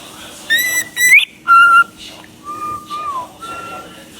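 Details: Parrot singing, giving a series of clear whistled notes: rising slurs, then long steady tones and one falling note, with short gaps between phrases, indoors.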